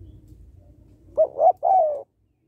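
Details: A single three-note coo from a female spotted dove calling to stimulate males: two short swelling notes and a longer, gently falling final note, with soft low background noise before it.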